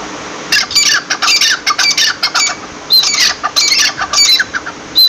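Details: Partridge (teetar) giving loud scratchy, squeaky notes in quick runs, with a short pause midway before another burst of rasping calls.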